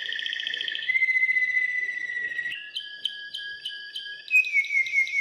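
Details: Belgian Waterslager canary song, bred for voice, whose water-like tours imitate flowing water: a rolling trill gives way to a clear whistled note, then a series of bubbling pulsed notes and rising whistles.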